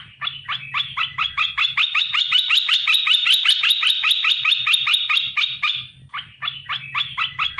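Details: Captive olive-winged bulbul, caught from the wild and kept three months, singing its strong, sharp lure song to set other bulbuls calling; a sustained quick string of crisp, evenly repeated chattering notes, a brief pause, then the run resumes.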